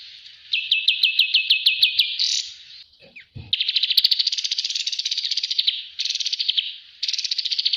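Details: Bulbul from a master recording for training: about ten clipped, high, descending chirps in quick succession, a brief gap with a low thump, then long rapid buzzing trills broken by short pauses.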